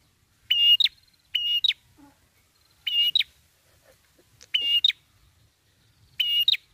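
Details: Prinia song recorded for use as a bird lure: loud paired notes, each a steady high whistle ending in an upward flick, given in twos with short pauses; quiet background.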